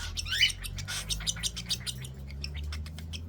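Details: Cockatiel chicks at a hand-feeding session, fed a few times a day, give one rising shriek and then a quick string of rasping pulses over low background hum.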